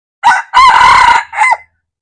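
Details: Red junglefowl crowing, recorded 1 February 2024. One loud, hoarse crow in three parts: a short opening note, a long, even, strained middle section, and a brief falling final note. Silence follows.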